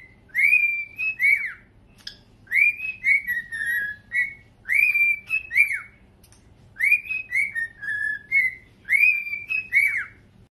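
Cockatiels whistle a learned tune in clear, repeated phrases of bright, sliding notes.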